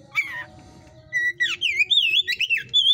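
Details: 'Hot type' Oriental magpie-robin in a breeder's cage: one harsh downslurred note, then a loud, rapid sequence of ringing whistled phrases that bend up and down in quick succession.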